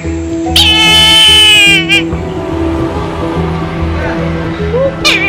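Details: Brahminy kite (Haliastur indus) gives one drawn-out, wavering, mewing scream lasting about a second, with a short wheezy note at the end, over steady background music.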